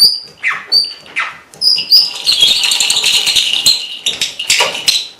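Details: A pet red-rumped parrot imitates a small neighbouring dog's barking with a few short, yelping bark-like notes, then runs into a fast, high, warbling chatter of chirps and whistles.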